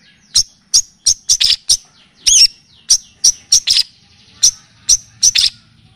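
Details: Long-tailed shrike (cendet, pentet) on a training and lure track that also features kapas tembak and cililin; a rapid series of bright, high, clipped chirps, some doubled, spaced irregularly over six seconds in a quiet setting.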